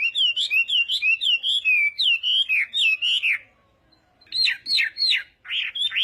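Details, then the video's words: Chinese hwamei in morning voice training for singing contests, delivering a fast run of looping whistled notes, a brief silence, then sharper, higher slurred whistles. "Hoạ Mi Hót Đấu /hoạ mi hót sáng luyện giọng"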